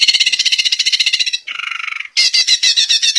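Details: Greater green leafbird singing to provoke other leafbirds into answering: dense high twittering notes, broken by a lower buzzy, rasping phrase, then more rapid bright chatter.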